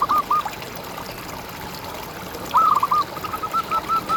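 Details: Zebra dove tutor recording meant to lure birds and rouse breeding desire. A brief clipped note opens, then after a pause comes a stuttering coo phrase trailing into soft, evenly spaced rolling notes.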